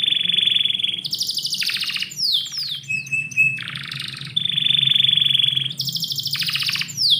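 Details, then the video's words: Indoor morning canary song alternating a long pure high trill with dense buzzy rattles and a few falling slurred notes, then repeating the trill and rattle; faint low hum in the background. "KICAU BURUNG KENARI - DIPAGI HARI DALAM RUMAH"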